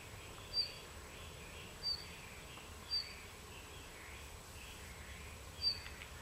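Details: Red-flanked bluetail giving four brief, high, thin call notes spaced roughly a second apart, with a longer gap before the last, above faint steady background hiss.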